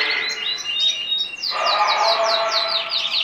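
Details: A male French Gibber canary sings a bright, fast warble, then a run of quick high downward-sweeping notes, about five a second, over a rolling trill.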